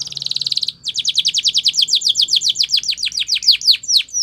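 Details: Belgian canary delivering a training song: a quick buzzy trill, a short pause, then a long string of repeated slurred notes that quicken in the middle and slow again near the end.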